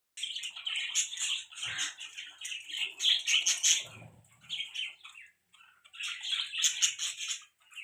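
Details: Budgies, pet budgerigars, chirping: a dense stream of scratchy warbles and high chirps from several birds, rising and falling, briefly pausing near the end before resuming.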